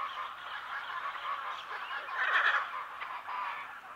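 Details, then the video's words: Harsh, raucous squawks from a pair of hyacinth macaws, medium close-up to medium distance, swelling loudest midway, over a dense chatter of other parrots and birds. "Hyacinth Macaw. MCU-MD Calls From A Pair. Other Parrots And Birds In B/G."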